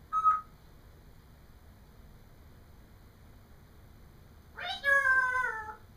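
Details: Pet parrot vocalizing indoors as another caged parrot plays; a brief clear whistle at the start, a long quiet gap, then a loud harmonic call gliding slowly downward near the end.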